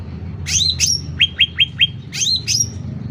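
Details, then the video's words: Short burst of sooty-headed bulbul song for songbird training: two sweeping rising notes, four quick clipped chips, then the rising notes again. "Suara Cucak Ranting Gacor Volume Keras"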